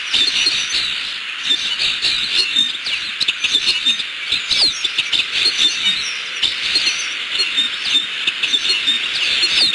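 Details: Bald eagles at a southwest Florida nest, filmed by a nest camera around 4:20 pm on December 14, 2015, call out because an intruder seems near. High, squeaky, falling whistles repeat irregularly against a continuous hiss.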